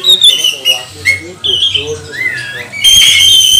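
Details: Oriental magpie-robin (kacer) lure song meant to excite rival birds: scattered whistled notes, one slurred rising note, then a loud harsh chattering burst with ringing tones at the end.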